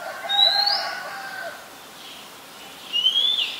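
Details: Oriental magpie-robin in Ubon Ratchathani, Thailand, 18 April 2022, filmed on a Nikon P1000: two bright rising whistles about two and a half seconds apart, with softer lower warbled notes between them.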